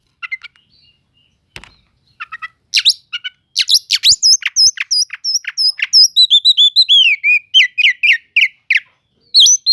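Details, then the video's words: Oriental magpie-robin cele'ngan song used to rouse slow-to-react magpie-robins. A few soft chips and a click open, then a dense, fast stream of high whistles and down-slurred notes, roughly three per second. "Pancingan untuk burung kacer yang lambat emosi.setelah dengar kicauan kacer cele'ngan ini"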